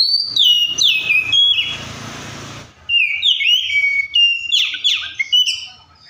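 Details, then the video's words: Oriental magpie-robin singing in a wild style that prompts other birds to sing: varied loud whistles and downslurred notes, a short stretch of rustling noise, then quick chattering phrases with sharp falling sweeps. "COPSYCHUS SAULARIS SOUNDS LIKE THE WILD MAKES OTHER BIRDS SOUND"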